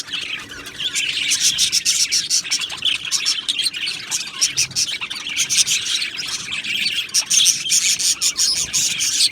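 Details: Aviary colony of Australian budgies keeping up loud, unbroken chatter, with rapid clicking chirps and buzzy warbles layered densely from many birds.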